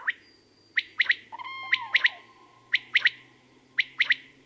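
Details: Common quail delivering its sudden, loud song, sharp three-part phrases spaced about a second apart, with a few lower sliding notes from another bird briefly mixed in.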